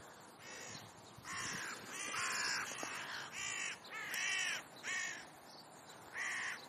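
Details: Crows romping on a play and sunbathing lawn in Leipzig's Rosental near the zoo: a steady run of about seven harsh, raspy caws, each short and nasal, coming roughly once per second.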